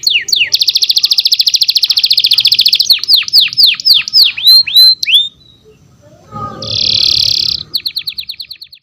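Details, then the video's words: Tutor canary song for youngsters: a dense high buzzy roll, then slower repeated downward-swooping notes, a brief pause, a harsh buzzy burst with faint low noise, and a closing quick trill. "CANARY SINGING | MASTERAN KENARI PAUD"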